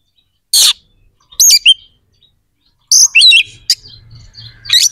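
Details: White-rumped shama, a kept bird, singing to provoke aggression and breeding urge in other shamas: a harsh high note, then looping whistled slurs and a fast twisting phrase, with faint low hum behind.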